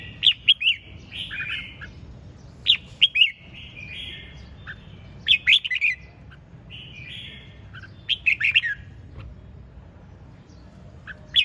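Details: Spirited red-whiskered bulbul singing ché chẻ: four lively phrases of quick, slurred whistled notes, each about two to three seconds apart, with short gaps of low background hum between them.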